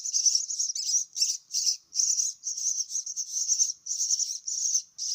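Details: Young myna nestlings calling as they are fed, giving shrill, rasping trilled bursts about half a second to a second long with short silent gaps between them.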